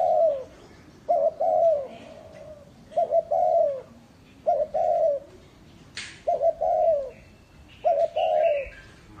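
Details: A spotted dove used as a lure bird, in Ba Vì, Hanoi, Vietnam, calls in steady low coo phrases roughly every one to two seconds, with a brief click and faint chirps behind.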